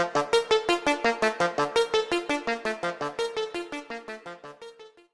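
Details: Rapid repeated keyboard or piano notes, played at a steady pace and slowly fading, with no animal sound.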